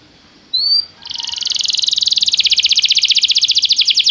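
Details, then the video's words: Belgian canary in song training: after a brief high whistle, a rapid pulsing trill starts and swells in loudness, its bright, even notes repeating quickly to the end. "Estimulação para que o seu canário cante com diligência - o melhor treino para canário belga"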